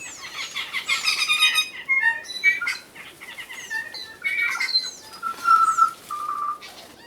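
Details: A tui of New Zealand, noted for its mechanical-sounding voice, sings a mix of clear bell-like whistles, clicks and wheezy, mechanical notes in varied bursts, ending on two pure held tones.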